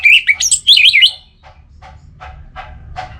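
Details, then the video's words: Orange-headed thrush (anis merah), a kept songbird, delivers a second-long burst of quick, warbled, high whistles. It is followed by a few soft, spaced clicks or taps over low background hum. "Obat Gacor Burung ANIS MERAH Buat Burung Yang Lagi Malas Bunyi"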